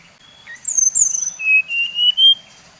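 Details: Brown-chested jungle flycatcher of the Bali type, used as a lure to provoke rival birds: a brief click burst, then a high whistled phrase stepping down into long, level, slightly rising whistles.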